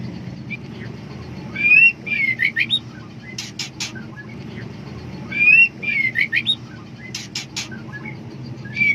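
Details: Female white-rumped shama in heat, seeking a male: a burst of short whistled slurred notes around two to three kilohertz mixed with sharp broadband chips, the phrase repeated about every four seconds over a low steady hum.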